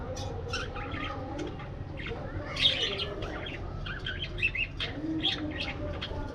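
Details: Parakeets in an aviary, flying and playing, give quick high chirps and short whistled notes in clusters, with softer lower cooing tones and a low hum underneath.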